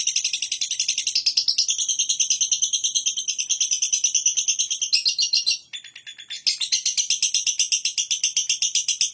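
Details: Lovebird delivering a long, fast chattering trill of high metallic notes, pulsing rapidly for several seconds with a brief break, then resuming.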